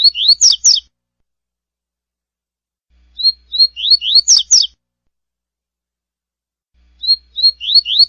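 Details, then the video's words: Double-collared seedeater in classic tui-tui song: a repeated short phrase of thin whistles, upslurred notes and a rough buzzy finish, heard three times with pauses of about two seconds, no other sounds present. "Coleiro Tui Tui Clássico"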